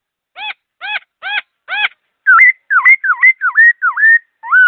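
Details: Laughingthrush kept in captivity singing quickly and clearly. Four spaced, buzzy, stacked notes are followed by a run of loud whistles that dip and then rise, repeated about twice per second.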